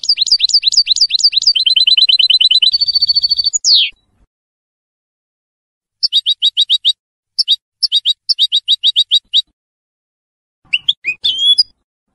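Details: Goldfinch hybrid in colour, bred 2022, with a big white bib and its first moult nearly done, opens with a fast rolling trill and level buzz, then spaced high chirps and a final squeaky phrase.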